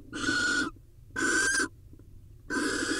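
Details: Barn owl pair in Israel filmed by nest camera, male arriving with a vole and mating with the female: three harsh, breathy screeches, each about half a second, spaced roughly a second apart, with a faint steady tone inside the hiss.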